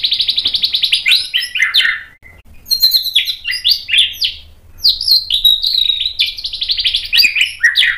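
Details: White-rumped shama song used to provoke another bird into answering: dense, fast, varied phrases of buzzy trills and sweeping high notes, tightly repeated with a brief pause midway.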